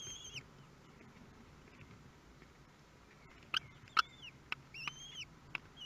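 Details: Common kestrel chicks at first feeding, Théding, France, 23 May 2022: a few faint, thin, arched squeals, then louder sharp clicks and pecking taps near the end, with a soft low background hum.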